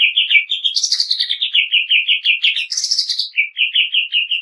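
Greater green leafbird in fast, continuous song: rapid chirped notes, about three per second, broken twice by harsh, buzzy, high-pitched bursts.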